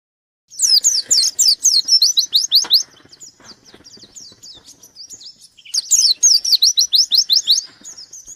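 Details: Caged white-eye singing loudly to challenge a rival: rapid bursts of high, steeply falling whistled notes, about four per second, in two bright runs separated by softer twittering.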